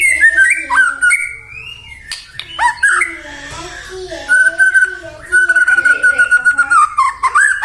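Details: White-rumped shama song used to provoke other shamas into singing: varied whistled phrases, a long steady whistle with rapid trills near the end, some harsher broadband notes and pauses between phrases.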